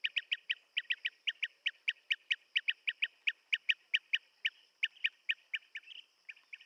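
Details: Regular series of brisk, rolling chirps from a blue-tailed bee-eater, evenly spaced at roughly four notes per second, set against a continuous thin insect whine.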